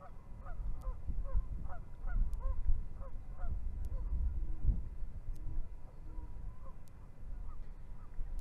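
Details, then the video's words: Yellow-necked spurfowl foraging near an African river, picked up by a live wildlife camera on 19 March 2021; a quick run of short repeated harsh notes fills the first three seconds, then fades, over a steady low rumble of water or wind. "Yellow-necked Spurfowl"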